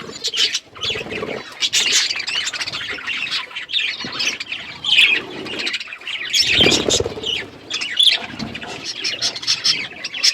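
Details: Feeding budgies keep up a long, lively chorus of harsh squawks, chirps and warbling chatter, with scattered rustling and low knocks.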